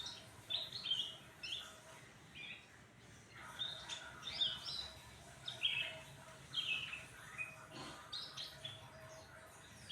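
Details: Chirpy phrases from a cucak ranting after being fed crickets and sunbathed: clear high notes in clusters every second or two, separated by short gaps, with faint background noise.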